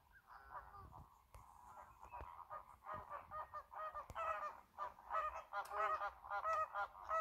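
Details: American flamingos (Phoenicopterus ruber) honk in a goose-like chorus at the Lagunska ribogojnica nature reserve on 4 January 2024, nasal calls overlapping and growing louder, about one or two a second.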